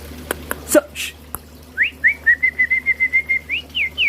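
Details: Captive White-rumped Shama (murai batu) in a breeding aviary in Bengkulu, Indonesia, gives clear whistled notes: rising slurs, then about a dozen quick steady repeated whistles, then more upslurs, after knocks and clatter at the start.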